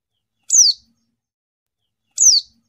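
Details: White-eye calling a rival, two short, sharp high notes that slide downward, about 1.7 seconds apart, in otherwise silent surroundings.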